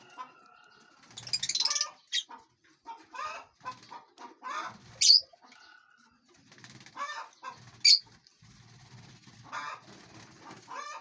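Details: Lovebirds in a large aviary, eating and flying freely: sharp high chirps and harsh buzzy chatter come in irregular bursts, with wing flaps and a couple of piercing squeaks.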